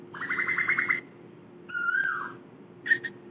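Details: Asian koel calling the flock: a fast stuttering run of rising notes, then a loud harsh squealing phrase and a short sharp burst at the end. A steady low hum runs underneath.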